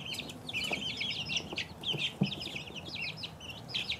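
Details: Flock of two-week-old chicks peeping busily, shrill brief notes tumbling over one another, with a few low knocks and thumps among them.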